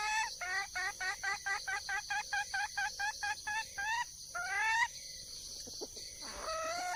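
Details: A wild junglefowl hen seeking a male gives a long, even series of short clucking notes about three per second, ending in longer rising calls and then a quiet spell, with a steady high insect-like hum.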